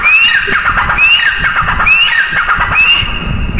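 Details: A female grey francolin gives loud, rising, squeaky notes in a steady series, roughly one each second, with a constant noisy hiss behind.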